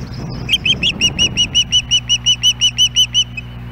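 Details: Female osprey at a nest in Hellgate Canyon, Missoula, Montana, calling for her mate on July 14, 2016, recorded by a nest camera: a rapid run of about fifteen bright, whistled chirps, evenly spaced and slightly rising, over a low steady hum.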